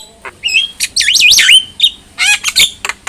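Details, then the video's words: A Javan myna (jalak kebo) tutor song to spur other mynas: a rising whistle, then a loud looping warble that dips and climbs, followed by raspy harsh bursts. "KICAUAN JALAK KEBO | Masteran Jalak Paling Gacor,Hanya Hitungan Detik Saja Jalak Apapun Pasti Nyaut"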